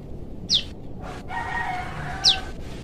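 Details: Young wild forest prinia calling for its parent: two short, high, sharply descending notes about 1.7 seconds apart, over a steady low background hiss.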